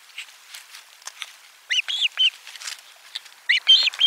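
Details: Osprey at nest #4 with a lunch fish delivery, 12 July 2022: quick series of loud, high slurred whistles, three then three again, over a busy background of softer chips and rustling.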